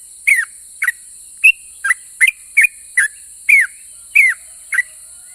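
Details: Song of a vocal yellow-vented bulbul that gets other bulbuls answering: about ten sharp whistles, many falling steeply in pitch, spaced around half a second apart, over a constant high hiss.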